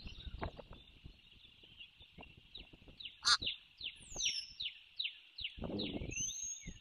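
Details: Osprey at a nest watched by a camera in Savannah, where birds land, recorded 06/01/2023 at 12:33; a run of short, sharply downslurred whistled chirps repeats about twice a second over a steady high hiss, with scattered knocks and one loud click.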